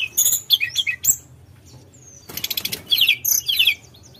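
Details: Javan whistling thrush in energetic nyuling ngerol song: fast high chirps, then a buzzy rattling trill and a burst of sweet twitters after a brief lull.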